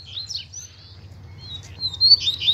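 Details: Double-collared seedeater in the wild, chick calling among the birds; thin high whistled notes and short chirps, rising to a louder cluster of chirps near the end over a low steady hum.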